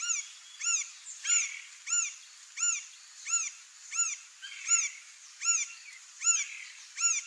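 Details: A Green-barred Woodpecker (Colaptes melanochloros) gives a steady series of short, ringing, arched notes, about one every three-quarters of a second, with faint background hiss.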